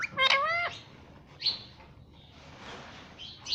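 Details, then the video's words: Talking pet Indian ringneck parrot, which says "Mummy" and "Papa", utters a brief wavering voice-like phrase, then gives a couple of thin, high squeaks. "मम्मी पापा बोलने वाला तोता _ Cute Indian Ringneck Parrot"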